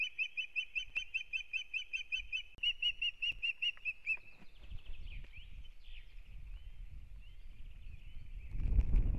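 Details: Osprey pair at their nest in Kurzeme, Latvia, at the start of the new breeding season, April 2022: a rapid run of loud, clear whistled notes repeated about two or three per second, then fading into rustling and a low thump.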